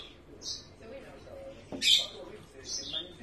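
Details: One-day-old yellow-fronted canary chick begging while being hand-fed: three short, high, hissy squeaks, the middle one loudest, with quiet human murmuring underneath.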